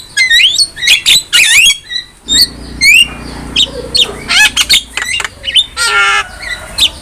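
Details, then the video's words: Javan myna on a songbird-training master recording. Harsh squawks and rising whistles are followed by a rasping, buzzy burst and a scratchy, grating call. "MASTERAN JALAK KEBO GACOR"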